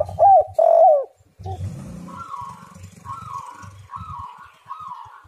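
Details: Spotted dove song used as a lure to get other doves calling. Two loud coos open, then a rumbling noise. After that comes a series of softer arched notes, repeated roughly every second.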